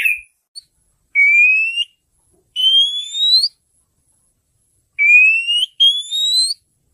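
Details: Female Oriental magpie-robin calling to a male, giving long pure whistles that climb slowly in pitch, each about a second long, in pairs separated by short silences.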